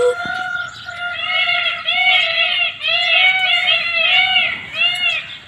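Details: Indian peafowl in a natural setting giving a fast, continuous series of short, arched, harmonic honking notes in loud bursts, with brief pauses between the runs.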